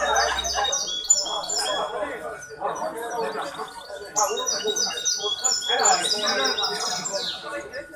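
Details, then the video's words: Competing at the Ain Chock association's 23 May 2021 contest, a hybrid goldfinch delivers repeated high ringing twitters in two lively bursts, ending in a rising sweep. Human voices murmur in the background and a faint steady tone runs through. "مباراة تغريد هجين الحسون جمعية عين الشقConcours de chant hybride Chardonneret"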